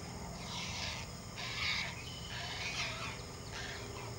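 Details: Great blue heron chick, an only chick, being fed a regurgitated fish at the nest and flapping while eating. It makes coarse, grating squawks in short blocky bursts roughly once a second, the loudest near the middle, over a low continuous hum.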